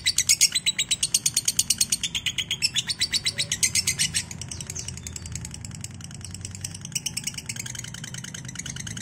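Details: Lovebird trill, called ngekek, on a lure recording for training lovebirds. A loud, quick series of high chirps lasts about four seconds, then gives way to softer scattered chatter under a low mechanical hum.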